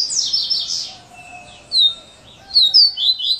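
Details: Coleiro, the Brazilian seedeater, singing the "serra elétrica" song type: bright high buzzy notes opening the phrase, then a pause and sharp rising and falling whistled slurs in quick bursts.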